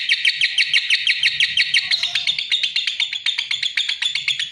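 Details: Lovebird song of quick, sharp high chirps, at first in a fast trill, then in slightly more spaced, accented notes.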